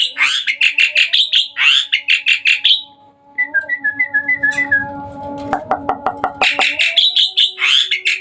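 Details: Night-time song of a hybrid Asian pied starling: dense runs of harsh, buzzy chattering notes, a short string of soft repeated whistles, then a fast clicking rattle before the chatter resumes.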